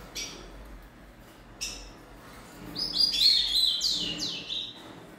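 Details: Rufous-collared sparrow youngster, aged three months, sings two short high chips, then a loud jumbled warble of thin notes stepping down in pitch over about two seconds.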